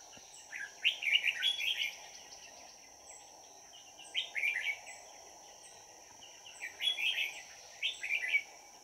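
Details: Red-whiskered bulbul used to lure wild bulbuls into a trap, 22 December 2018. It gives three bursts of bright, warbled, chattering notes about every three seconds over a steady high whine and a low hiss.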